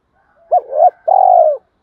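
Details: Spotted dove calling to lure wild doves: a double-humped hoarse coo followed by a long, steady, slightly rolling coo, with silence around them.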